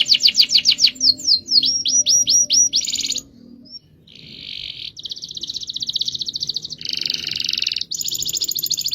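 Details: Canary in a long rolling song, opening with quick descending whistled notes, then a short pause followed by dense buzzy trills and fast rattling rolls at high pitch.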